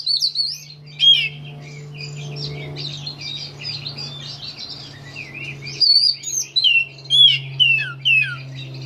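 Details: Oriental magpie-robin singing in May 2015: varied, high whistled notes and slurred phrases, some rising and some falling, delivered in loose bursts. A steady low electrical hum continues throughout.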